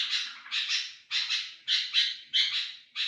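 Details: Sooty-headed bulbul used to draw in other bulbuls: about six loud, rasping, hissy bursts over three seconds, each starting sharply and fading, with a faint low hum behind.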